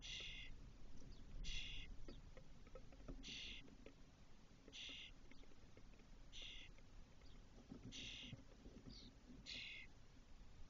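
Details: Spotless starling chicks in a nest box in a cork oak, Doñana National Park, 2023, as the eldest fledgling comes back after four hours outside. About seven rough, buzzy rasps, roughly every one to one and a half seconds, with soft ticking.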